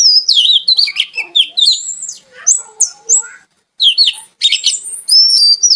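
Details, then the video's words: Kacer, or oriental magpie-robin, singing a lively, melodious song. A rapid, varied jumble of whistles, chattering notes and high slurs, almost continuous, with one short pause, then more bright whistled phrases. "Suara Kicau Kacer Gacor Merdu"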